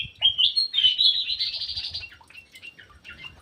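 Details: Indonesian aviary ground thrush singing a loud, rushing phrase of high warbled and trilled notes for about two seconds, followed by softer scattered chirps.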